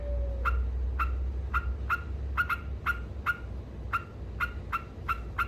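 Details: Yellow-vented bulbul in rapid ngekek singing style: short clipped notes, each with a fainter higher overtone, repeated about every third of a second at uneven spacing, over a steady low hum.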